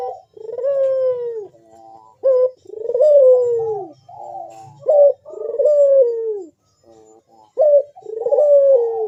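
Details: Puter dove cooing in loud, sharp 'bekur' manggung style: deep, mellow coos that slide downward, given in phrases of several notes separated by short pauses, with a faint low rumble beneath.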